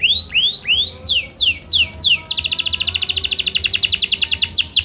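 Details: Canary singing about eight rising swept whistles in a row, then breaking into a long rapid rattling trill of high notes.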